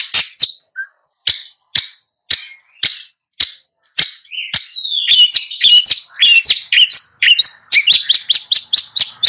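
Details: Long-tailed shrike beginning with spaced harsh single notes that build into a rapid, varied warble of buzzy and whistled notes.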